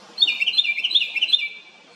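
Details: A house wren on a farm gives a loud, rapid, bubbly chatter of high notes, pulsing about three times a second for just over a second, with no other sounds.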